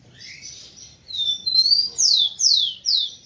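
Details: Rufous-collared sparrow singing to stimulate females: soft high whistles, a long sustained whistle, then three loud downward-sliding whistled notes repeated about every half second.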